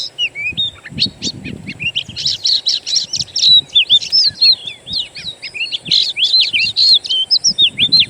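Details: Wild birdsong serving as an Oriental magpie-robin lure to prompt song: loud, rapid, varied phrases of sharp chirps and twisting whistles running nearly nonstop, with faint low rustling early on.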